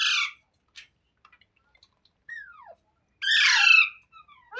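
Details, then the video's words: Green parrot kept as a pet: a short harsh squawk, a thin falling whistle midway, then a louder grating screech near the end amid a steady faint high hiss. "Green Parrot Talking | Funny Parrot Sounds Videos | मिट्ठू की आवाज़ | तोते की आवाज़"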